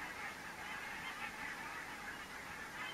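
Geese honk steadily throughout, a dense chorus of overlapping nasal calls with no break between individual birds.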